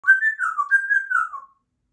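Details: Female two-year-old Congo African grey parrot, a talkative pet kept indoors, practicing sounds and words: a single clear whistled phrase wavering between two pitches, sliding down at the end, about one and a half seconds, then silence.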